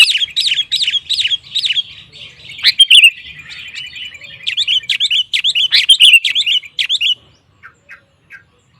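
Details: Energetic song of a sooty-headed bulbul meant to stir other males into singing: fast repeated chattering, whistled phrases for about seven seconds, a brief mid-song lull, then a few soft notes fading out.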